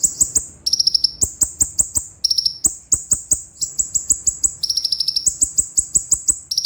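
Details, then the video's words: A sunbird (kolibri ninja) sings very high, thin, rapid trills in short bursts that jump between two pitch levels, with sharp ticking clicks running through them, as a master recording for training birds. "Konin Besetan Tajam‼️Tembakan Roll Speed Sejalur"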